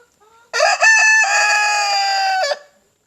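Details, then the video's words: Leghorn rooster crowing: a loud, harmonically rich crow lasting about two seconds, with a brief stuttering opening that settles into a long steady held note, then a quick drop at the end. A few faint soft notes come before it. "Ayam Leghorn BERKOKOK"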